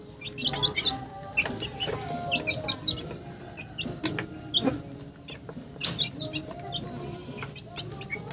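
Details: Chickens sounding off: frequent short high peeps in irregular clusters, with loud sharp clicks and a low rumbling background throughout.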